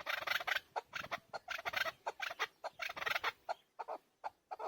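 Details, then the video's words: Chukar partridge, called keklik and described as a hunter chakor, giving rapid, harsh, clucking chuk notes in quick rhythmic bursts that run together into chattering series, rising and falling in loudness, with short gaps between phrases and no other clear sounds. "Keklik Sesi chakor Hunter Chakor voice. Chakor voice. Hunter Chakor sound. Keklik Sesi chakor bird."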